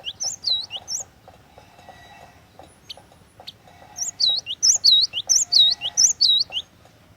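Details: Cinereous tit (glatik watu), a lure bird used to tutor other songbirds, sings a few looping whistled notes, falls quiet for two seconds, then resumes with a brisk series of high, U-shaped slurred whistles, with faint low hum.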